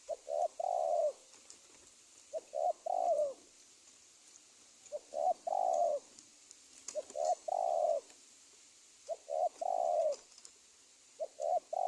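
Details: Lure call of a spotted dove for trapping wild birds, Indonesia: mellow low coo phrases, a couple of short lead-in notes then a longer sliding coo, repeated about every two seconds with a light background hiss.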